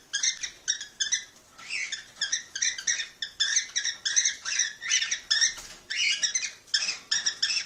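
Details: Cockatiel calls played to stimulate pairing: steady volleys of buzzy, harmonic chirps, roughly three a second, with only brief gaps.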